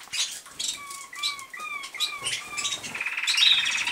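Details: A registered American Singer male canary with a poorly healed broken wing, newly bought at a bird show, sings roller-canary-style rolls and flutes: clear, smooth gliding whistled phrases with soft trills. Another American Singer male may be heard in pauses; faint chirps and rustling.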